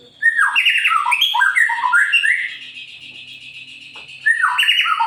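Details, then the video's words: Actively singing white-rumped shama, used to provoke other birds to sing. Quick cascades of slurred whistles, then a quieter stretch with a steady high tone, before loud warbling resumes. "Murai Pastol Gacor Cocok untuk Memancing Burung Yang Kurang Emosi"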